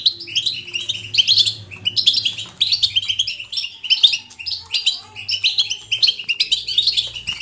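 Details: Lively 'batbata' song of a European goldfinch, a continuous run of quick, liquid twitters and high tinkling trills in repeated bursts, with a soft low hum in the background.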